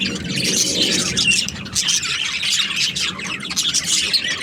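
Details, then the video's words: Budgerigars in a happy mood keep up a dense stream of high, scratchy chirps and squeaky warbles without pause. "Happy Budgie chirping sounds"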